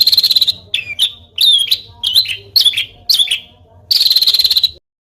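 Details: Small songbird with coarse, forceful rapid-fire song, used to train contest birds: a fast rattling trill opens, then clipped whistles and harsh chattering notes, ending in another loud rattle.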